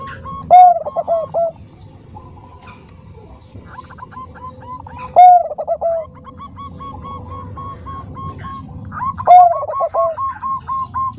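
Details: Bangkok-type zebra dove, described as a female calling a male, in soft 'nutut' style: three soft cooing phrases about four seconds apart, each a rising opening note followed by a quick run of short rolling notes, over low background hum.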